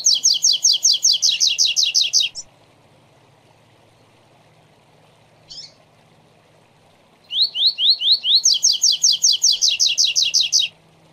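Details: Double-collared seedeater (coleiro) tutor song in the Tui Tui Zel Zel Zel three-note style, used to teach young birds: fast, regular bursts of bright, high, buzzy repeated notes about two seconds long, separated by a pause, over a low hum.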